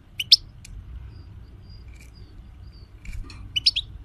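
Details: Goldfinch, recorded 2020 for teaching other birds: a few sparse high chirps and faint thin whistles with long quiet gaps.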